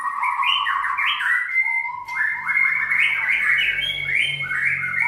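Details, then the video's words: Caged white-rumped shama from a contest-bird breeding farm in Sragen, Indonesia, singing a rich, continuous run of whistled and slurred phrases, rising and falling in quick succession with a steady high tone underneath. "peternakan Murai Batu Kontes AK 45 Sragen"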